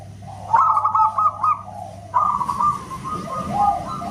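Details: Loud whistle-like song of a local zebra dove: a short volley of rapid clipped coos, a pause, then a long held run of notes that fades into softer, lower tones.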